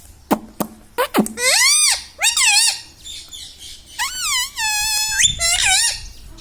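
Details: Pet parrot mimicking human speech such as "Mummy" and "Papa" indoors; sharp clicks, then arched, strongly harmonic squeaky syllables and a long flat sustained tone ending in a rising note.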